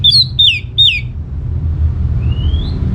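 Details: Lure song of an orange-headed thrush to make other birds answer: three quick, clear downslurred whistles in a row, a pause, then one thin rising whistle, against a constant low drone.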